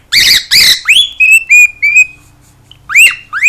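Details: Two harsh, raspy screeches from a pet cockatiel open the clip, followed by a string of clear sustained whistles and a final pair of rising chirps after a short pause.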